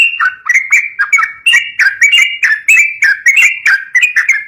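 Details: Yellow-vented bulbul singing, a recording suited to luring young birds. Lively chattering of short liquid notes that rise and fall, closely spaced and continuous throughout, bright and clear.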